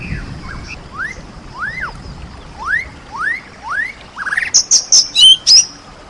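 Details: White-rumped shama singing with rain in the background: a row of about six clear, arching whistles, each rising then falling, delivered roughly every half second, followed by loud, abrupt high-pitched chirps.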